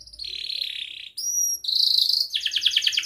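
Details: Young canary song used to teach other canaries, with a dense rolling trill: a long buzzy roll, a brief pure high whistle, then a rapid pulsed chatter of repeated notes, loud and clear throughout.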